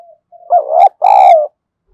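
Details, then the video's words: Spotted dove used as a decoy to call wild birds: a soft lead-in note, then two strong, throaty coos, the second longer and falling slightly at the end. "Chim Cu Mồi Thúc Gù + Gáy Gọi, anh em đam mê mở là bổi gáy cả"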